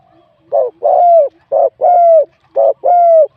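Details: Spotted dove singing in a contest, a wild bird whose voice is classed as medium-to-large. Three rhythmic pairs of coos, a short note then a long sustained falling one, about one pair per second.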